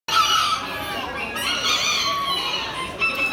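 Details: Red (retinto) Aztec kikiriki bantam rooster, class B, shown at an October 2019 expo; a harsh, harmonic-rich crow rings loudly for about a second, followed by continuous overlapping crowing and crowd murmur of the show hall.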